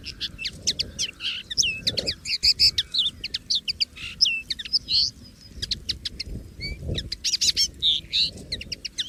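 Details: Free-living common linnet singing continuously: dense twittering of sharp clicks, quick trills and twanging whistled notes, delivered in varied bursts with few pauses; soft low rumble behind.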